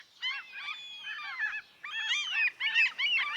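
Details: Seagulls gliding and hanging in the wind by the sea give bursts of overlapping arched, mewing cries, several birds at once, with short quiet gaps.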